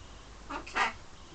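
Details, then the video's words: Pet parrot in London flirting with its mirror image and with birds outside the window: two short harsh chattering notes, the second louder, over quiet indoor hum. "My bird flirting in the mirror & to others out the window"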